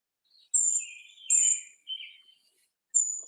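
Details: Brown Creeper (Certhia americana) giving its very high, thin, drawn-out call in three short bursts, each followed by lower, softer twittering; no other sounds.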